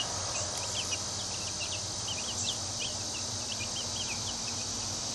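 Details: A crowd of two-week-old chicken chicks in their first minutes outdoors in a crowded coop, giving many short, high, downslurred peeps that overlap throughout, over a steady hiss and a low hum.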